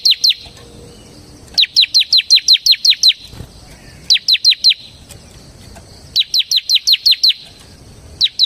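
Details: Ciblek (bar-winged prinia) song meant as a lure and training master, a series of quick high chirps that slide downward, grouped in bursts of five to eight with brief gaps between.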